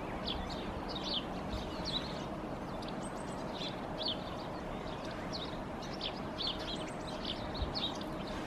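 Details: A Yellowhammer perched in a tree in Helsinki, Finland, in February 2022 calls with short, high chirps in loose clusters every second or so, over a steady low rumble of distant traffic.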